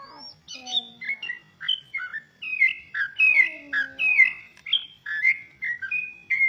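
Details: Wild yellow-vented bulbul singing loudly and persistently: a busy run of short bubbly whistled notes that jump up and down, with faint lower tones from another sound underneath.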